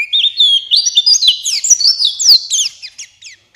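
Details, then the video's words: Buxtoni white-eye prompt song: a rising run of bright, high twitters building into quick slurred whistles, fading out at the end. "Pancingan Pleci Cepat buka paruh Gacor Ngalas Bukpar"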